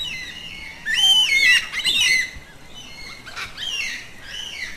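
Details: A yellow-tailed black cockatoo, a social species that calls to stay in contact with its group, gives a loud, harsh, wavering wailing squawk. A second call follows, then softer, fainter calls sound in the background.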